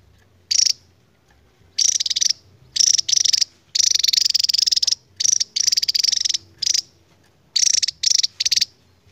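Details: Endemic Javan tesia performing its long 'ngebren' trilling song: high, rapid pulsed trills, some short and some lasting over a second, broken by silent gaps, with no other clear sounds.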